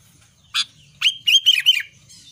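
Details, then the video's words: Albino sooty-headed bulbul in energetic song: a sharp click followed by a quick phrase of four clear, slurred whistled notes dipping in pitch. "kutilang albino gacor"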